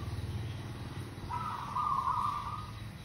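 A zebra dove gives one short, soft, rolling coo-trill lasting just over a second, over a low engine-like rumble.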